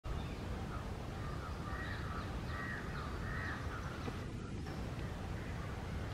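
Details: A parrot in breeding condition, wanting to mate, gives a string of harsh, nasal squawks in quick succession over about three seconds, half buried under a steady low rumble.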